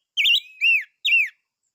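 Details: Three loud, pure whistled notes from a silver-eared mesia, the first wavering, the next two arching down in smooth slurs, closely spaced.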